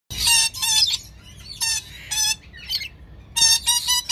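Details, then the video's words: A captive breeder pair of red lories gives harsh, screechy bursts of about half a second, repeated several times with short pauses, with a brief raspy squawk between them. "red lorikeet talking"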